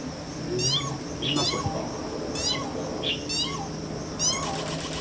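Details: Jacana calling: loud harmonic notes sweeping downward in quick stacked bursts, repeated roughly every second, with a steady high hiss and low background rumble throughout.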